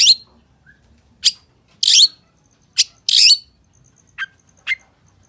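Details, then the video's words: Long-tailed shrike gacor full isian singing, heard as scattered harsh, buzzy rasps, some drawn out, followed by two thinner short notes at the end. "SUARA PENTET GACOR FULL ISIAN || CENDET GACOR"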